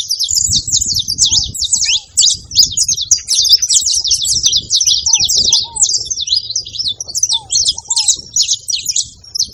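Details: Busy feeding-spot flock of saffron finches giving crowded bright twitters and clipped chirps without pause, accompanied by occasional low dove coos and faint rustling underneath.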